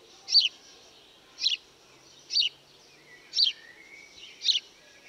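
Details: House sparrow calls: short bright chirps repeated about once a second, five in a row, over a faint steady background hiss with a few soft distant notes.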